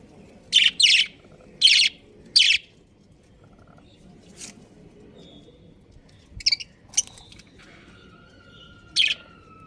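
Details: Breeding pair of pet budgerigars giving short, harsh, buzzy chirps: a quick cluster of four in the first two and a half seconds, then scattered single chirps after a pause, with a thin, level whistled tone near the end.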